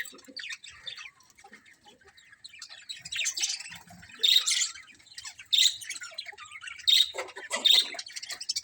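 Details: A budgerigar colony of colourful birds, chattering chirps and scratchy squawks in irregular bursts, louder outbursts every second or so over a steady background twitter from many birds.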